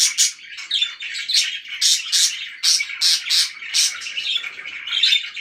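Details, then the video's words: Chattering parakeets give strings of sharp, buzzy chirps in quick pulses, roughly two or three a second, over a steady warbling undertone, fairly loud and close throughout. "BEAUTIFUL CHIRPING NOISES"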